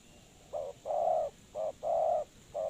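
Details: Low, mellow coos of a spotted dove used to lure birds for trapping: short coo then a longer one, repeated in pairs, ending on a short note, with faint background hiss.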